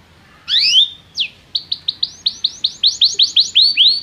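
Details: Canary in song training, calling a companion canary to sing: opens with rising swept whistles, then a string of short bright chirps repeated several times a second, speeding up toward the end over a faint background hiss.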